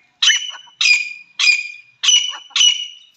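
Grey francolin giving five loud, harsh, ringing notes about every 0.6 seconds, each with a bright high whistled tone; no other sounds.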